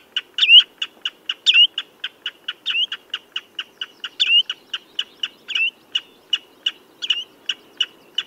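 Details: Persistent common redshank piping, short sharp notes repeated about three per second, interspersed with slurred whistles, over a quiet background.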